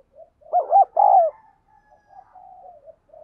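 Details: Spotted dove used as a lure, cooing insistently for wild doves. A strong phrase of quick, hollow, arched notes ends in a longer coo. Softer, drawn-out cooing trails behind it.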